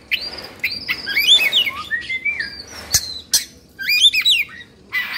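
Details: Agitated Oriental magpie-robin, Indonesia, with spread tail and open beak. Clear, fluid whistled phrases climbing and dropping in pitch, linked into rapid varied strings, plus two abrupt sharp clicks.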